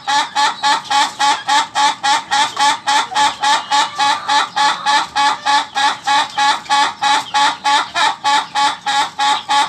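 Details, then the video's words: Laughing chicken (ayam ketawa) in a long unbroken crow lasting nearly ten seconds, more than thirty rapid nasal syllables repeated with metronome-like regularity. "Ayam Ketawa Durasi"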